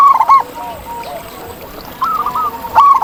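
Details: Zebra dove song recorded in nature, local birds: short clipped cooing phrases at the start and end, with softer, lower coos from other doves between them.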